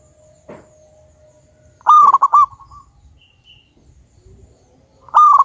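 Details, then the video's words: Native zebra dove, a very active big-voiced singer, in a lure recording: a rapid burst of staccato coos ending in a held note, a long quiet gap, then a fresh burst beginning, with a faint low hum throughout. "Pancingan burung perkutut Lokal Alam super Gacor suara Besar"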